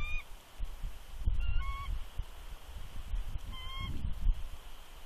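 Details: Bald eagle female incubating eggs at Big Bear warns an intruding adult eagle, 3 February 2020: three short, clear, whistled chirps with bright harmonics, spaced about a second or more apart, with gusty low wind noise.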